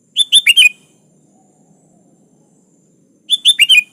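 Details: Sooty-headed bulbul in full song calling a rival, a pure recording with no other species added. Two short bursts of four bright bubbly notes sit about three seconds apart over quiet background.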